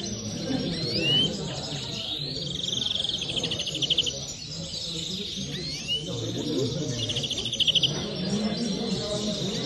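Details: Common linnet singing: short upslurred whistled notes lead into a fast, bright rattling trill. The phrase comes twice, about four seconds apart, over a low murmur of background voices.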